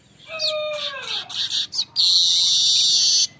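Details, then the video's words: Streaked weaver, lure song for attracting birds: a descending whistle slides down, a few harsh chattered notes follow, then a long continuous high sizzling buzz holds for over a second. "suara besetan ngerol burung Manyar"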